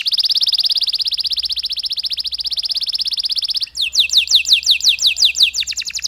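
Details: Canary song used to stir up stressed canaries: a long, rapid, buzzy high trill held for several seconds, then a brief break and a series of clear, falling whistled notes.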